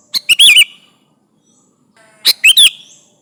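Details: Kutilang (sooty-headed bulbul) singing hard to call rivals, meant as a lure: two fast, bubbly phrases of sharp chirps with a warbled, wavering whistle, about two seconds apart, in an otherwise quiet setting.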